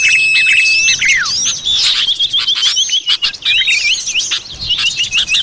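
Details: Common iora lure sound for attracting forest birds in the wild: a long steady high whistle held about a second, then a quick downward slur, buried in a dense chatter of overlapping chirps and short trills from many birds.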